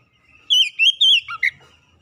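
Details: Lure song of an Oriental magpie-robin, played to get a lazy bird singing; a short run of clear, wavering whistled notes ending in two clipped chirps, with faint low rumble behind.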